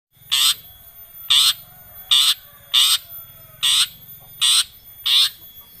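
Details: Long-tailed shrike used as a lure to get a silent shrike singing: harsh, rasping broadband bursts, each about a quarter second, repeated steadily about every 0.8 seconds over a faint low hum.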